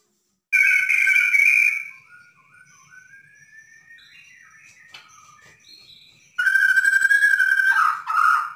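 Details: Borneo white-rumped shama singing constantly, recorded to stimulate a quiet bird: a loud whistled burst, then soft faint notes, then a second strong outburst of rapid rich whistles.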